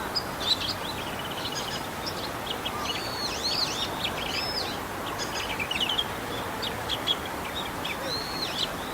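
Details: Male Bull-headed shrike imitating other birds, recorded 28 March 2015; a quiet, jumbled warble of short high chirps, arched whistles and fine trills running throughout over a soft background hiss.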